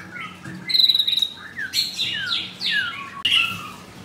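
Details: Close-up recording of a caged white-rumped shama in Kemayoran, Jakarta, Indonesia. A level high whistle leads into a series of quick downward-slurred notes, then a sharp clipped phrase and a lower whistle.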